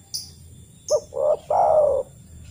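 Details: Spotted dove call played to coax other doves into calling: one phrase of two short low coos and a longer sustained coo, with a couple of faint high chirps before it.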